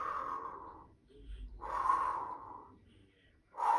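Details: A male grey parrot (Jaco) talks in three breathy, voice-like phrases, each about a second long, with short quiet pauses between them, said to be declaring love.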